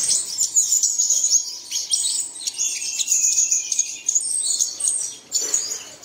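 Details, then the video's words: Birds singing as a dawn lure for caged birds. Rapid high twitters and trills, with a sliding whistle in the middle, then a brief lull and a renewed burst of chatter. "Bật Tiếng Chim Này Lên Vào Sáng Sớm Chim Của Bạn Sẽ Hót Ngay"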